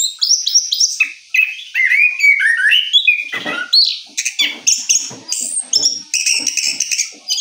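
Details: An orange-headed thrush, freshly moulted, rolls through its song: descending whistled runs first, then rapid high chirps and harsh rattling notes repeated quickly.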